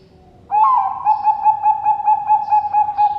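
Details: Bangkok-type zebra dove, a captive farm bird from Sidoarjo, East Java, Indonesia. After brief quiet, it gives one sustained mellow coo that breaks into a rapid, even rolling trill of pulsed notes lasting nearly three seconds.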